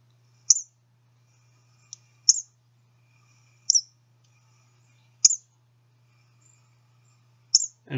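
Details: Eastern Kingbird field-guide recording: harsh, sputtering, high squeaky notes, about five spaced one to two seconds apart, over a faint low hum.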